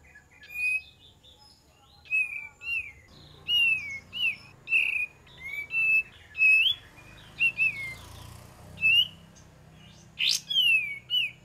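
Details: Lure recording of an olive-winged bulbul: short whistled phrases spaced a second or so apart, each with a quick upward or downward flick, then a sharp, harsh chip near the end.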